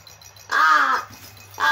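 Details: A crow that is not actually hungry but pretends to be gives drawn-out, nasal, rasping begging calls about half a second long, one after another, over a faint low hum; a baby rattle nearby draws little interest from it.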